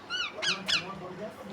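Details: Talking parrot mimicking speech: a short, high, nasal utterance of a few syllables with bright harmonic stacks, two louder squeaky bursts in the middle, and a quiet indoor background.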